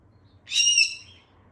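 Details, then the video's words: A parrot at play gives one short, harsh chirp with bright layered overtones, rising slightly and then fading. "Bird Playing with Chirping Sounds"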